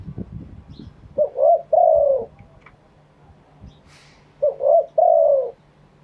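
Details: Wild-bred spotted dove in Thailand crowing: two matching phrases about three seconds apart, each a short note, a wavering coo and a long slightly descending coo, with a quiet gap between.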